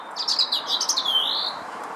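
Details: Lesser redpoll feeding on and off at a Nyjer feeder in a garden in Howdon, 3 May 2016: a quick run of short, high twittering notes, then one drawn-out slurred whistle that fades.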